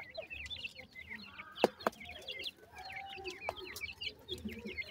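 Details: Grey francolin chicks at feeding, several birds calling in dense runs of short, high, wavering peeps, broken by a few sharp clicks.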